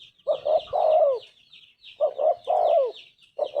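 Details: Tekukur, the spotted dove, in gacor anggungan: two and a half phrases of paired short coos leading into a longer wavering coo that slides down, with high thin bird twittering running behind.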